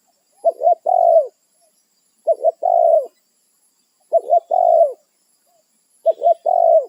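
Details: Spotted dove (tekukur) in the wild calling to its companions, a territorial bird that confronts intruders. Low cooing phrases of two short notes then a longer drawn-out coo, repeated about every two seconds, four phrases, clean quiet background.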